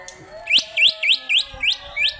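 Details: Caged greater green leafbird calling a rival: a rapid series of six bright, rising whistled notes, each sweeping upward and repeated roughly every third of a second, with a faint steady hum behind.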